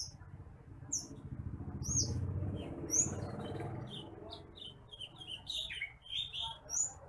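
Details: Bush lark (branjangan apung, titimplik) recording for tutoring other birds: scattered high, sharp chips and short whistles, becoming denser toward the end, over a low rumbling background noise in the middle.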